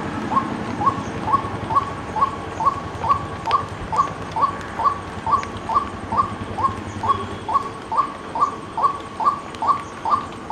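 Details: White-breasted waterhen repeating a monotonous, nasal croaking note about twice a second, some twenty evenly spaced calls without a break, with a low rumbling hum and occasional faint clicks behind.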